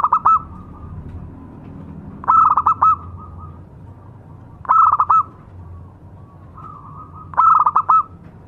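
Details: Local zebra dove giving a lure song: four short phrases of rapid, stuttering, clipped cooing notes followed by a drawn-out hum, repeated roughly every two and a half seconds over a low background rumble.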